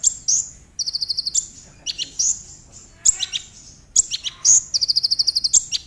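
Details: Brown-throated sunbird, local name konin, heard as a lure to make other sunbirds sing quickly: quick high trills of seven or eight notes alternating with shrill downslurred squeaks, repeated throughout with short gaps.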